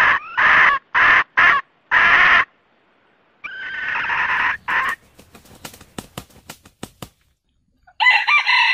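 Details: Red junglefowl pair, cock and hen, calling the flock as a trapping lure: a run of short, harsh, harmonic clucking bursts, a longer rasping call, scattered sharp clicks, then a loud, rough crow-like phrase at the end.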